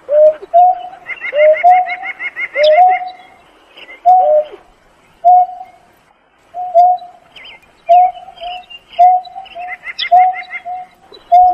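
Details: A Painted-snipe calls the flock with hollow notes, at first paired with lower dipping notes, later plain level hoots, spaced about a second apart. Bursts of fast, higher chattering from another bird occur at the start and near the end.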